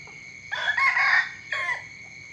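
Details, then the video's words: A rooster's morning crow: a strident, raspy outburst lasting about a second, then a shorter second burst. A persistent high thin tone sounds throughout. "เสียงไก่ขันตอนเช้า เสียงไก่ขันฟังต่อเนื่อง"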